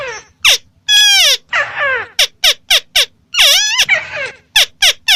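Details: White-browed crake giving a jumble of harsh, downslurred squeals and short sharp clicks or chips, loud and uneven in rhythm.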